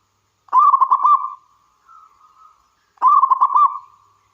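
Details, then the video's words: Zebra dove of local wild stock, singing as a lure: two rolling, rapidly pulsed cooing phrases separated by a quiet, softer coo in between, on a clean silent background. "Suara Burung Perkutut Lokal Gacor"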